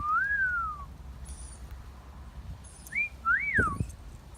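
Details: Pet parrot in a garden giving wolf whistles: a long, clear, slurred whistle that falls away, then after a pause a short rising note and a rising-then-falling whistle. Faint background noise.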